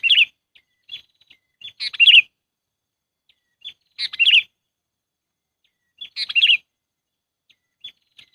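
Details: Lure call of a sooty-headed bulbul for trapping birds. Loud bubbling phrases of quick, slurred notes come about every two seconds, separated by faint high single chips.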